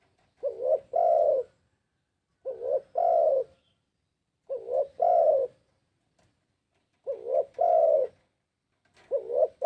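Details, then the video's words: Lure recording of a spotted dove, an energetic caller: soft throaty coos in three-part phrases, a short double lead-in then a long mellow note, repeated five times at steady two-second spacing in a quiet setting. "PANCINGAN BURUNG TEKUKUR TERBAIK...!! GACOR TELLERR..!!"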